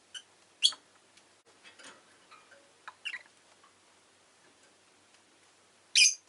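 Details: Rosy-faced lovebird kept as a pet calls with scattered sharp, raspy chirps: one early, a softer pair midway, and a loud one at the end. Quiet clicking fills the gaps.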